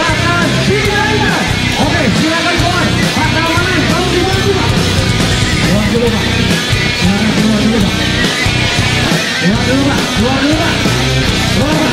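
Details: Loud, dense rock music with distorted guitars and drums fills the recording, with voices mixed in and no animal sound.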